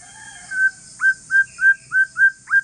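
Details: Aceh forest-strain white-rumped shama, calm song used to lure other shamas to respond: a series of six short clear whistles at steady mid pitch, each with a quick rising start, roughly every third of a second, over hiss.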